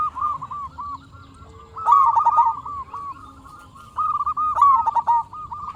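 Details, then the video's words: Local zebra dove singing as a lure to make other zebra doves respond: running trills of quick pulsed notes, broken by two louder coos that rise sharply then tumble into fast pulses. "Perkutut Lokal Gacor RAJA PIKAT Ahlinya Bikin Semua Burung Perkutut Nyaut"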